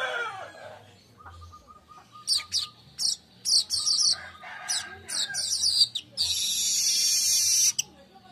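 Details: Weaver singing a lively, energetic song used to lure and tutor other birds: sharp high chirps and rapid downward-sweeping notes in bursts, ending in a long harsh buzzy trill; faint low hum underneath.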